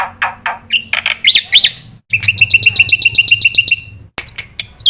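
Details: Black-winged myna training song, full of fillers for young cage birds: hoarse rasps and two sharp arched whistles, then a quick series of bright rattling notes and a final squeal.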